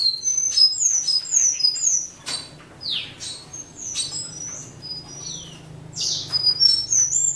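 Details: Western citril song in territorial defence: bursts of thin, high twittering and whistled slurs, broken by short pauses and soft rustling, then resuming in a quick jumble near the end.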